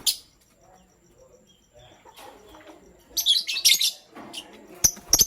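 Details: Pastel gray and green lovebirds in the morning give shrill, high chirps in clustered bursts, quiet at first, then a dense run of sharp notes after three seconds and a final pair near the end.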